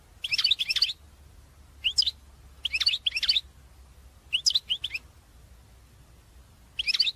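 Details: European goldfinch calls for stimulating a caged goldfinch to sing: short, bright, liquid two- and three-note chirp bursts, spaced irregularly by about a second of quiet, over a low steady hum.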